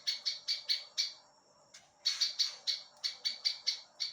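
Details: Prinia song used to tutor other songbirds: evenly spaced high, sharp chips, a one-second pause, then a fresh run of rapid chirps.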